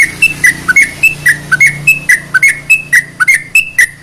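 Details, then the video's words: Sooty-headed bulbul singing to rouse other bulbuls into song; short whistled notes alternate between slightly higher and lower pitches in a steady rhythm, roughly one every third of a second, over a soft low hum. "CEPAT MERANGSANG TRUCUK MALES BUNYI"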